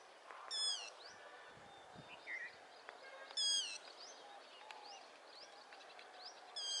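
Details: Yellow-wattled lapwing calling while running: three sharp, high, harmonic-rich calls spaced about three seconds apart, each slightly descending. Faint rising chirps from other small birds fill the background.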